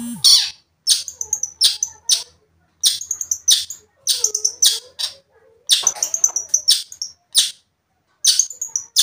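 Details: Long-tailed shrike singing to make another shrike agitated: grouped phrases of grating, chattering notes with thin high whistles, broken by short silences.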